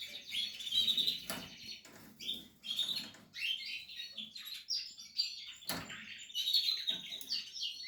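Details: Portuguese harlequin canary at its nest, producing a lively high twittering song of quick chirps and trills, interrupted by a couple of sharp clicks.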